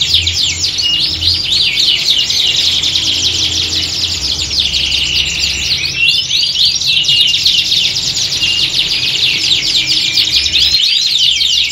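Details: Massed canary song recreating the feel of a singing contest, played to train a canary's confidence. Continuous high warbling with quick repeated trill bursts and looping whistled phrases. A gentle low hum sits beneath.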